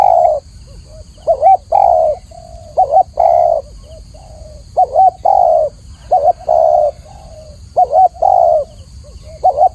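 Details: Indonesian spotted dove repeating its cooing song: quiet short intro coos, a trembling two-note coo, then a long mellow coo, phrase after phrase with brief gaps, faint steady hiss behind.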